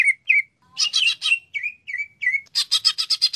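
Greater green leafbird song: sweet slurred whistles dropping in pitch, mixed with rich warbles, then a rapid run of seven harsh, buzzy chattering notes.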